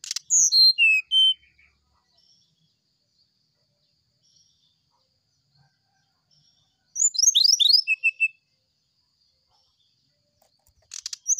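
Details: Brown-chested jungle flycatcher singing its flute-like sulingan song in the morning, a training recording for other birds: two bursts of clear high whistles descending stepwise, separated by about five seconds of quiet, then scratchy notes at the end.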